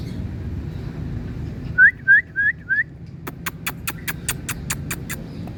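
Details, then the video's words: Indian parrot calling, four short upward-curving whistles in quick succession, followed by a steady series of sharp clicking taps. "Indian Parrot Calling"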